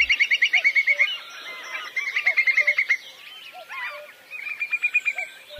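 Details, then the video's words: Whimbrel distinctive contact or flight call: three quick runs of about seven bright, even, confident whistles in a rapid tittering series, less fluting than Curlew, with faint lower calls of other birds behind, during April–May UK passage. "Whimbrel do make some similar sounds to Curlew but they also have a distinctive contact or flight call."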